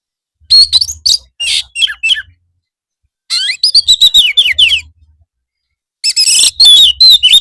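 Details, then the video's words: Oriental magpie-robin master song for afternoon training, meant to make birds respond; three energetic bursts of varied whistled and chattered phrases separated by about a second of silence, faint hum beneath. "masteran kacer supaya mau nyaut bunyi gacor"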